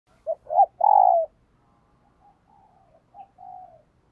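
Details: Captive decoy spotted dove cooing in the morning to call wild doves: two short low hooted notes followed by a longer sustained coo, then a run of much softer, fainter coo notes trailing off. No other sounds.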